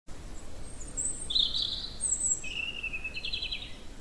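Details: A European robin at Vallon de Nerval, Rolleville, sings a few high, thin phrases: a sweet trill, then a shriller note and a lower, fluttering run, over a steady low rumble.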